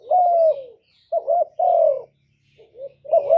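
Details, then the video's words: Clean recording of a spotted dove singing loudly, meant to trigger other doves to call; a long descending coo, then a brief double note and another sustained falling coo, ending on a rising phrase. "Cu gáy lớn tiếng, không tạp âm, giọng hay dễ mở, cu gáy kích bổi"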